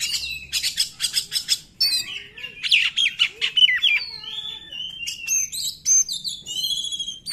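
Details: Oriental magpie-robin singing in the 'nembak' style, meant to prompt quiet magpie-robins to sing: rapid harsh notes repeated in a fast burst, then varied high whistles, slurs and chattering phrases.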